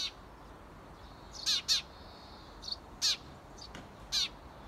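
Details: Eurasian tree sparrow parents outside a nest box give about five harsh, bright chirps at uneven intervals, urging their 17-day-old nestlings to fledge, with a faint buzzy note between calls.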